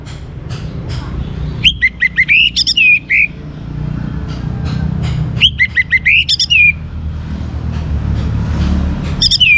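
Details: Young orange-headed thrush singing energetically, used to make other birds sing boldly. Two long phrases of quick sharp notes slide into descending whistled trills, then a third phrase begins, over steady low background noise.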